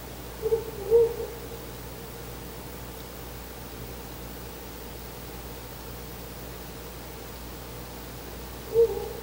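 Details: Male Ural owl visiting a nest in the early hours of 4 August 2020: a pair of low, muffled hoots at the start and another after a long pause, with a steady noise floor throughout.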